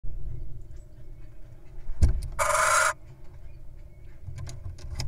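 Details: Wild little owl incubating eggs, pausing to feast on a mouse; a single harsh, hissing rasp lasting about half a second rises out of low background rumble.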